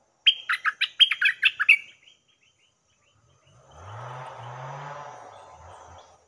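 Stripe-throated bulbul gives a quick bubbling phrase of about ten rich, liquid notes, followed by a low rushing noise and a deep rumble.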